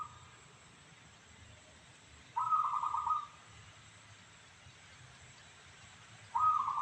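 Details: A local zebra dove with a so-called crystal voice gives one rolling, pulsed cooing phrase of about a second. A second phrase starts near the end, with quiet background hum between them.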